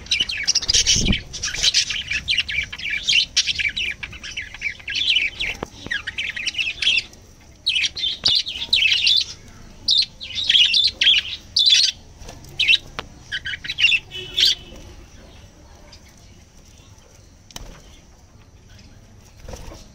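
Budgerigars chirping in busy bursts of high, scratchy twitters and warbles.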